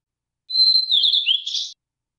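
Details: Blue-and-white flycatcher giving a short clear song phrase: a sustained high whistle sliding into slurred lower notes and ending in a buzzy flourish, against silence.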